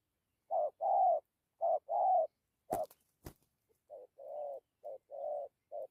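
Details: Spotted dove cooing in the thổ and gù styles with dặm: a short note followed by a longer steady coo, repeated several times, broken midway by two sharp knocks before cooing resumes slightly softer.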